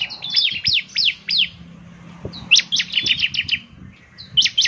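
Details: Bar-winged prinia singing vigorously: bursts of sharp, high descending chirps in quick runs, with brief pauses between phrases and faint low background hum.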